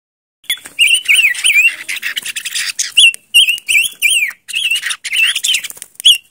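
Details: Silver-eared mesia song: lively, rapid warbled whistled phrases with wavering, looping notes, delivered in bursts separated by short pauses, clear and close.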